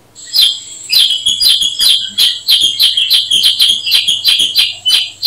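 Black-headed bulbul giving bright, sharp chirps about three times a second, high and metallic with overtones, over a faint low hum.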